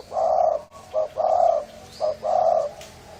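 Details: Spotted dove of the hoarse-voiced Thai type cooing as a lure for mates and wild birds. Loud, rough coos alternate between short clipped notes and long drawn ones, about one second apart.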